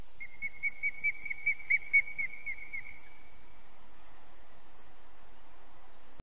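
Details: Osprey at its Estonian nest, 7:22 pm on 2 July 2020, during a goshawk's capture of the second chick. A quiet series of high, thin whistles repeats rapidly for about three seconds over low background rumble, then fades.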